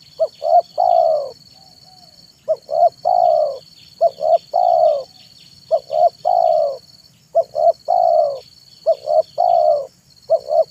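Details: Spotted dove singing its perched manggung song in the afternoon, used as a lure for wild and trainee doves: two short rising coos then a long falling coo, phrase after phrase every second or two, steady high electronic whine behind.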